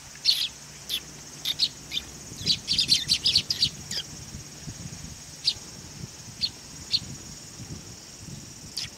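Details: Sparrows visiting to be fed at a Tenmangu shrine, 18 August 2020, give clusters of quick high chirps early on, then spaced single tweets every second or so.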